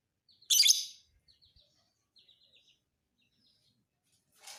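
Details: Fighter lovebird tutor recording for schooling other birds: one brief, strident, buzzy shriek, followed by faint thin chirps from other birds and a rising hiss at the end.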